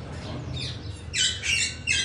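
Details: Adult bonded pair of Triton cockatoos (Cacatua galerita triton) in Islamabad: a fainter rasping note, then three harsh, grating screeches in quick succession, each about a quarter-second long, over a low background hum.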